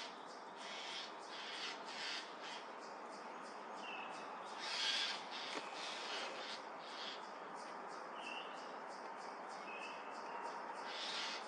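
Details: Mobbing alarm from a Eurasian jay confronting a Eurasian eagle-owl: a long series of short, harsh, grating rasps repeated in quick succession, with a brief thin whistled note from another bird and a constant background hiss.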